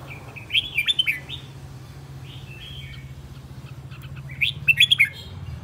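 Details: Red-whiskered bulbul used as a decoy, aggressive and agitated, singing two short bursts of rapid, bright, warbled whistles with a pause between them over a faint low hum.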